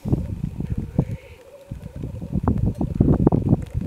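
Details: Black grouse (Lyrurus tetrix) in mid-Wales before full light on a gloomy February morning, 2018. Deep, rapid bubbling rolls in dense bursts. A soft hissing note comes near the one-second mark, and wind rumbles beneath.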